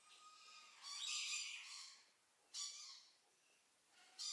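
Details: Close-range white-necklaced partridge: a faint level whistle, then a rasping buzzy call, followed by two shorter harsh bursts after quiet gaps.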